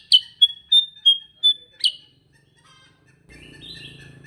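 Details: Sooty-headed bulbul, the kutilang sutra type, singing in the lively nonstop 'gacor ngerol' style: six sharp high chips in quick succession joined by a thin level whistle, then quiet with faint low background noise.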